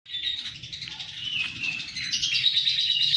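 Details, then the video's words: Lovebird from Kedungadem, Bojonegoro, singing a long continuous chatter of fast high chirps and buzzy trills, rapid notes roughly three per second, steady throughout with faint low rumble beneath. "Love bird roro laku mentrex"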